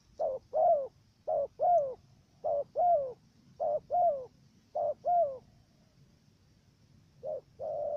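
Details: Decoy dove luring wild doves into a trap in Cà Mau, Vietnam, with a halting 'gù cà lăm' coo. Four evenly spaced pairs of a clipped note and a longer falling coo are followed by a pause, then another pair.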